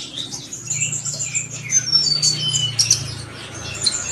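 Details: Sunbird in lively song, used to get other birds singing: thin high whistles and quick chirps over a steady low hum, some notes sliding slightly downward.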